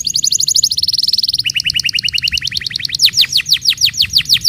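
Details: Canary song used to prompt silent canaries to sing, made of rapid repeated trills: a fast high rattle, a lower steady trill, then slower, loud, downslurred notes repeated about twice a second.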